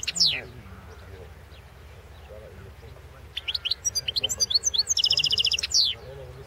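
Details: European goldfinch in the 2016 world goldfinch song championship: a descending slurred note, a quiet pause, then rising twitters building into a fast even trill and a final falling note.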